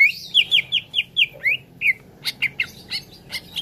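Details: Cucak ijo, a green leafbird, singing in a training recording for young birds: rapid sweet whistled phrases, each slurring down, about five per second at first, then scattered sharp chips and squeaks.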